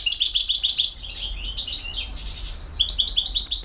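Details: Goldfinch in 'campero' style: quick repeated chirping notes, a blurred sweeping twitter in the middle, then renewed rapid chirps.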